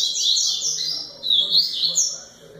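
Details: High, bright double-collared seedeater song: quick rising and falling slurred whistles run together in two short phrases.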